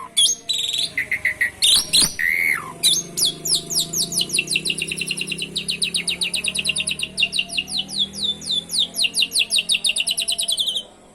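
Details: Canary-style trilling from an Asian pied starling in full song, aimed at stirring other birds to sing: a few loud slurred whistles open into a long, steady, rapidly repeated high trill lasting several seconds.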